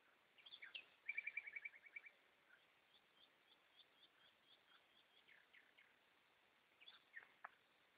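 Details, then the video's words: At night, goldfinches sing a rapid, evenly spaced trill of bright notes lasting about a second, followed by a string of lighter twittering chirps and a few louder calls near the end. "Goldfinches singing"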